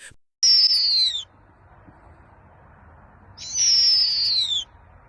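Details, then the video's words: Barn owl gives two long, harsh, hissing screeches that slide slightly downward, each about a second long and a couple of seconds apart; the screech, unlike other owls' hoots, cuts through the silence. "लेकिन बार्न आउल एक ऐसी खौफनाक चीख मारता है जो सन्नाटे को चीर देती है।"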